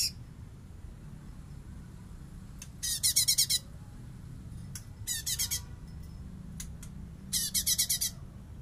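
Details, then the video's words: A light-vented bulbul sings a full "bessetan" song, used as a training recording for other birds: three short bursts of rapid, high, chattering notes about two seconds apart over a low steady rumble. "CUNGKOK FULL BESSETAN!!!"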